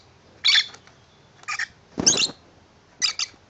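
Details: Tame male pet lovebird singing happily indoors over a new shoe box house; four short bright chirps, about one each second, one with a rougher, broader burst.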